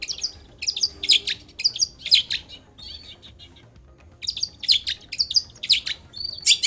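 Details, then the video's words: Long-tailed shrike in full song, used as a lure to prompt another shrike to sing back: rapid bursts of harsh, scratchy high chattering notes in two groups separated by a pause of about a second. "SUARA cendet gacor INI AMPUH untuk pancingan agar cendet bunyi"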